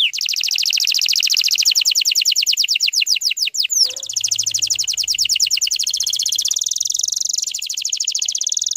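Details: Canary song used to coax young canaries into singing: long rapid trills of repeated high notes, shifting between fast buzzy rolls and slower descending sweeps, continuous throughout with faint low hum midway.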